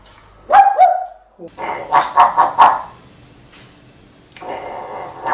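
A parrot imitates a dog, giving two short barks, a gap, then a rapid run of four or five bark-like yaps and a final rough bark.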